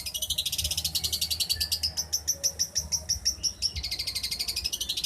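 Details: [1, 'likely', 'song', 'Champion long-tailed shrike singing, used as master song for training other shrikes: fast, dense run of high chattering notes, rising and falling, with a steady low hum underneath.']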